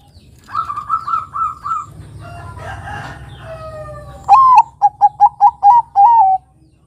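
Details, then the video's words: Zebra dove of the Bangkok type, used as a lure so young doves learn to sing. Repeated warbling notes and drawn-out sliding calls come first, then a loud dove phrase of a rising coo, five short coos and a long final coo. "Pancingan Suara Burung Kutut Perkutut Bangkok Gacor Ini Mudah Ditiru Kutut Bangkok Remaja Agar Bunyi"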